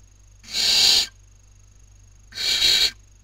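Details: Young barn owls in a nest in Cabañeros National Park, Castilla-La Mancha, Spain, 2019 breeding season, as one steals her sister's dinner. Two broad, rough hisses, each lasting over half a second, with silence between.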